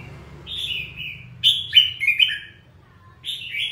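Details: Red-whiskered bulbul giving a clear whistled phrase, then a quick loud burst of sharp descending chirps, a short pause and one more whistled note, almost no background noise.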